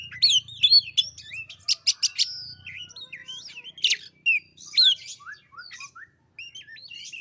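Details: Lure recording of white-rumped shama song to get a lazy bird singing: fast rhythmic ticking bursts, ringing whistles and swooping notes, with a brief low rumble early on.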